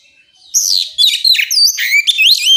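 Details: Oriental magpie-robin song used to provoke other magpie-robins into singing back: a rich, loud run of varied whistles, sweeping slurs and sharp chirps, high-pitched and continuous for about two seconds.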